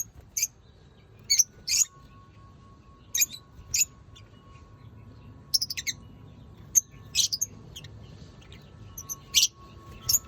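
Lovebirds give shrill, sharp chirps in short bursts, single or doubled, at an uneven pace, with a faint steady hum underneath.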